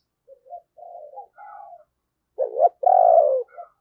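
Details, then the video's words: Spotted dove used as a lure, calling with 'thúc' and 'gáy' to wild doves. Soft, low murmured notes lead into a loud, gruff double coo with a long, falling second note. "Chim Cu Mồi Thúc Và Gáy Gọi Bổi"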